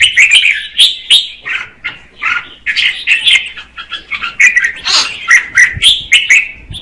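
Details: A female red-whiskered bulbul sings to stimulate a male, giving a steady run of bright, slurred, warbled notes, closely spaced and varied in pitch, with a few sharper high accents.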